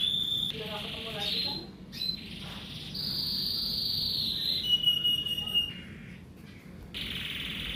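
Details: Canary greeting the morning in Indonesia, delivering a varied song of short pulsed notes, a long high rolling trill, then lower steady trilled tours, separated by brief pauses over a low background hum.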